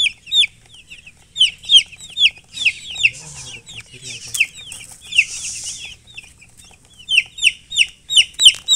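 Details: Chicken chicks peeping: clusters of sharp, high downward chirps, a stretch of softer calls with hissing rustle midway, then loud regular peeps resume.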